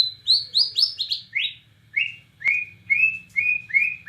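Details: Borneo white-rumped shama, murai batu, delivering nembak cililin song: quick descending sequence of high whistled notes, then a steady run of slurred rising whistles repeated roughly every 0.4 seconds, over a low hum.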